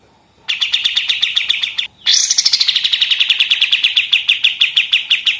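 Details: A long machine-gun style song from a pied triller, kept as master song for training songbirds: a brief rattle, a split-second gap, then an unbroken stream of rapid, high staccato notes sliding slightly down and holding steady.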